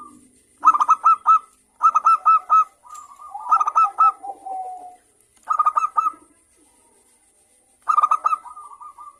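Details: Local zebra dove with a 'crystal' voice, used as a lure to get other doves to sing: groups of four or five loud clipped coo notes repeated about every two seconds, with a lower trailing trill between groups.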